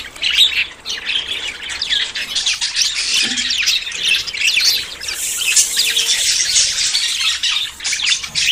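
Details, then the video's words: Budgerigars courting and about to breed: lively warbling chatter of many birds, high squeaky chirps piling on each other, growing busier toward the end. "CON ESTE AUDIO TUS PERIQUITOS SE APAREARÁN"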